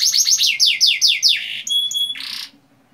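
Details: Canary song used as a lure to get young canaries singing: a long roll of fast, high, down-slurred chirps repeated in quick series, then pure steady whistles and a buzzy trill, ending in quiet.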